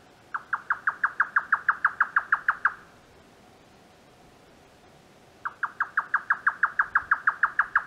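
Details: Indian jungle nightjar calling at night near its nest: two rapid bursts of hollow 'tuk' notes, about five per second, each run two to three seconds with a quiet gap between.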